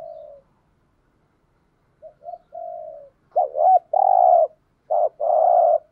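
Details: Decoy spotted dove cooing to attract wild doves: soft low notes at first, then louder phrases of a bent rolling note and a long, low, burry coo.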